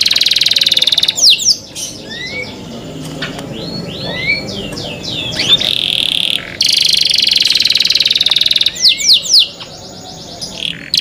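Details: Canary cenkok song mixing steady high buzzy trills with clusters of quick falling whistles and short rising slurs, broken by brief pauses.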